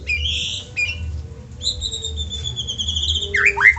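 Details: White-rumped shama song meant to prompt other shamas to sing: soft buzzy high phrases and long thin sustained whistles, closing with loud, fast, squeaky notes over steady low hum.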